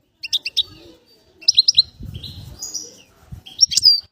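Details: Bird whistling; quick bursts of high sharp chirps, a short drawn-out whistle, then more squeaky notes, with soft low rustling between.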